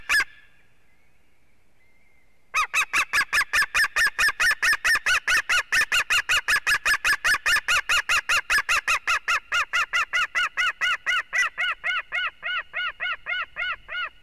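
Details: White-tailed eagle at a nest with an eaglet in Durbe, Latvia, on 13 August, the eaglet's fourth day in the nest; a brief opening squeal, a pause, then a long fast run of loud, harsh yelping notes that gradually soften and space out.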